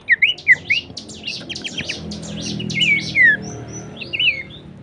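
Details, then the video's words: Horsfield's babbler song material for training songbirds: a few loud whistled notes rising then falling, mixed into a busy layer of high chirping and rapid trills, with soft low background rumble. "materi vokal mewah cetak jawara dengan masteran Topcerr khas burung pelanduksemak."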